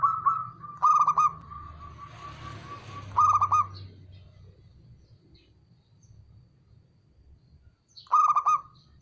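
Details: Male zebra dove (local perkutut) call, used to prompt a quiet bird into singing: three short bursts of quick hollow coos spread through quiet, one followed by a soft rolling trill, with low rumbling background and a faint constant electronic tone.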